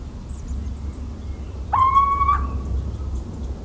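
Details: Little owl song from central French farmland, 17 March 2019: a single plaintive, slightly rising whistled note lasting under a second, then fading, against a low rumble and faint distant bird chirps.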